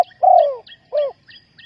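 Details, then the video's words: Spotted dove kept for luring wild doves into a trap. A long, mellow coo slides downward, then a shorter coo follows, with quiet, high two-part chirps from another bird repeating behind. "นกเขาใหญ่สายต่อดิน,Tekukur pikat,Cu gáy Ninh Thuận,Sound Of dove"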